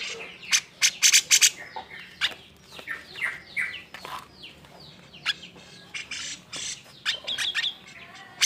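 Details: Agitated cucak jenggot (grey-cheeked bulbul) singing to stir quiet birds into song: a busy run of sharp high chirps, slurred downward whistles and a few harsh rasps, delivered rapidly and unevenly throughout.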